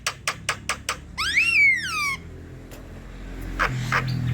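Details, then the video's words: Javan myna song meant to get lazy mynas singing: five evenly spaced sharp clicks, then one long rising-and-falling squealing whistle, followed by faint noise and a low rumble. "Untuk Pancingan dab mendongkrak bunyi jalak kebo malas berkicau"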